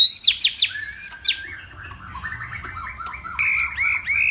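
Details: Northwest Vietnam Hwamei in a morning singing contest. The song opens with loud, sharply falling whistled notes, moves into softer jerky phrases, then swings into clear rising and falling whistles.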